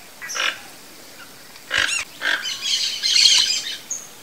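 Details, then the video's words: A wild toco toucan (Ramphastos toco) gives harsh, rasping croaks in short separate bursts, followed by a longer scratchy, grating phrase; no other clear sounds. "Toco Toucan Singing"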